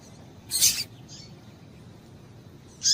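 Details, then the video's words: Female double-collared seedeater call, used to stimulate a male; one loud, high, harsh chirp, a faint softer note, then another bright chirp beginning at the end, with low hiss. "Piado de Fêmea de Coleiro Com Piado de Fêmea de Coleiro Quente para Esquentar Coleiro tui tui"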